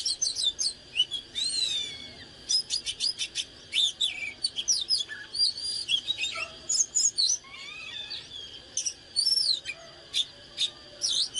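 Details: Oriental magpie-robin singing in the fired-up 'căng lửa' style: a rapid, varied stream of high clear whistles, sweeping slurs and sharp chirps in quick bursts, with some lower whistled phrases in between and a steady faint hiss.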